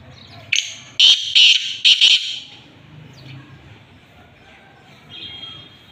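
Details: Black francolin calling at Khushab: a loud, harsh, grating burst of several rapid notes between about half a second and two seconds in, then quiet with a faint rustling background and a soft whistle near the end.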